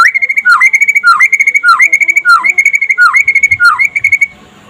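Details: White-rumped shama singing in the trotol style during the day, a master recording meant to make other shamas sing: six repeated phrases, each a short downward-slurred whistle followed by a rapid, ringing trill on one pitch.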